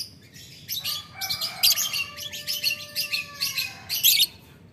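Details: Lovebird ngetik ngekek call aimed at a rival: rapid raspy high chatter in pulsing groups, with a faint steady lower whistle-like tone running beneath part of it.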